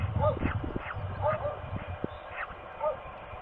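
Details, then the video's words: Female peregrine falcon at Trzebież, Poland, 17.04.22, calling to ask her mate to relieve her at the nest: harsh, wailing, slightly arched notes, several in quick succession, over heavy low rumbling wind noise. "Sokół Trzebież Samiczka prosi o zmianę"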